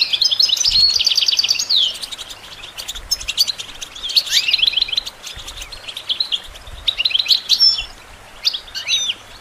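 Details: European goldfinch singing, for songbird training: high, chattering phrases with buzzy trills and quick down-slurred whistles, delivered in several bursts over a steady faint background hiss.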